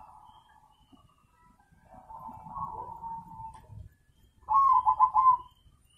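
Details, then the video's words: Soft, drawn-out cooing from a crossbred zebra dove, said to be very vocal, ends in one loud, rolling, trilled coo phrase near the close. Faint low rustling sits beneath. "Prekutut crosing Gacor Banget"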